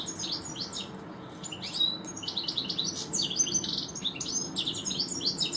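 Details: European goldfinch in a garden, one of two birds present, giving a fast continuous twittering song of high, bright, jangling notes with buzzy trills, steady throughout.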